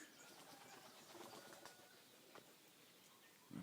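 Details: A couple of pigeons, frightened by a walker in a small woodland with buttercups and molehills in 2010, burst into flight with a quick run of soft, clattering wingbeats over a quiet outdoor background; a brief rustle follows.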